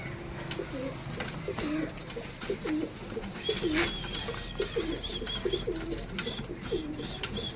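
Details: Punjabi Malwai domestic pigeons from Canning, South 24 Parganas, West Bengal, India, cooing in a long run of low, rolling notes repeated about once a second, over clicks, rustling and a faint higher whistle.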